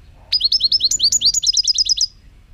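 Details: Recorded in 2018, a European goldfinch delivers a dense, fast phrase of around twenty rising, bell-like notes over nearly two seconds, speeding into a tight trill at the close.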